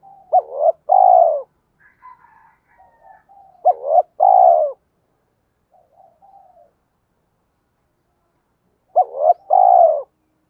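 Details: Spotted dove fighting coo for luring wild doves during trapping; loud phrases at about 0, 4 and 9 seconds, each a clipped rising note, a hump and a long falling coo, with soft scattered notes in the gaps.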